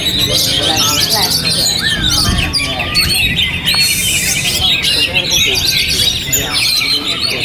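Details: An oriental magpie-robin, a kept bird, keeps singing through strong wind. It gives rapid high whistles, a long descending slurred note and sharp chirps in dense succession, with rushing wind beneath.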